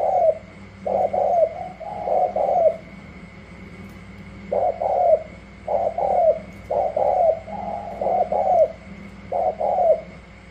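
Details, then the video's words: Spotted doves from Cà Mau, Vietnam, a new wild bird matched against competing doves: bursts of husky coos separated by a silent gap near the middle, then regular paired phrases, with a low steady hum throughout. "Chiến rừng mới về thử sức mây tàu & gù la"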